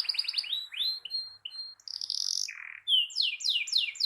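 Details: Canary song used to provoke rival canaries: varied phrases of rising slurs, short pure whistles, a buzzy trill, a lower swelling note, then rapid falling notes.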